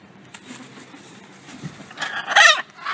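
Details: Wild blue-and-gold macaws visiting daily to be fed make a loud, harsh, raspy squawk late in the moment, after a quiet stretch with faint rustling.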